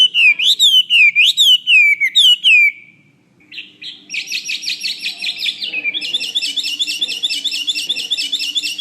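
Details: Chinese hwamei singing, used as a master song for other birds: looping falling whistles, a brief pause, then rapid trilled notes and a long series of quick, high repeated looping whistles.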